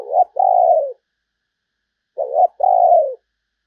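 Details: Decoy spotted dove cooing to draw in wild doves: two matching phrases about two seconds apart, each a quick upslurred note then a long, steady, slightly falling coo.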